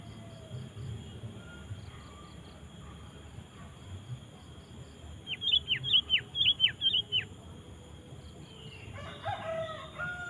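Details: Energetic sooty-headed bulbul song, played to get wild bulbuls singing too. After quiet, a burst of about eight whistled notes rises and falls in quick alternation for two seconds. A different brief chattering sound follows near the end.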